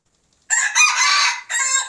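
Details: A red junglefowl crow as old and young males call together: loud, rasping and rich in harmonics, one long drawn-out phrase after a brief opening note, followed by a second strong burst that runs to the end.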